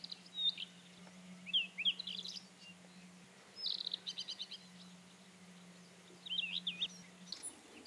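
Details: Rufous-tailed scrub robin delivering sweet whistled phrases alternating with quick stuttered trills, pauses of about a second between phrases, over a low steady drone that stops near the end.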